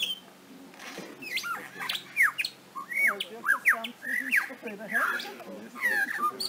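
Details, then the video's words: Lyrebird mimicking sounds, a run of varied squawks and sharp down-slurred whistles, some rising, given in quick irregular bursts over about six seconds, in a quiet room-like setting. "AVE LIRA,pajaro,imitando voz humana,sonidos,motosierra"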